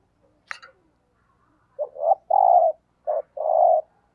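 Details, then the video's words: Spotted dove lure bird giving a thúc gù coo: short low hoarse notes building into two longer, mellow, pulsing coos, clear and close with a quiet background. "Tiếng Chim Cu Gáy Thúc Gù - Chim Cu Mồi"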